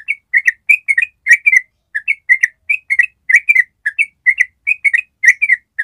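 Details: Yellow-vented bulbul giving a long 'ropel' trill, a master recording meant to train other birds to respond and copy; rapid, continuous run of short bubbly chirped notes, roughly four per second, with no other sounds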